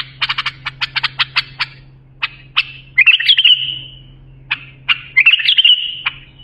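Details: Song of a bulbul, played to train young birds: a run of about ten sharp, clicking notes, a few spaced single notes, then two rich, fluid warbled phrases separated by a short gap; steady low hum beneath.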